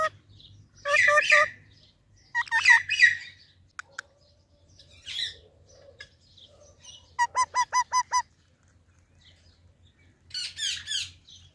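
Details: Indian ringneck parakeet greets baby parrots in scattered bursts of squeaky, buzzy chatter separated by quiet gaps, including a tight series of six nasal, evenly paced notes.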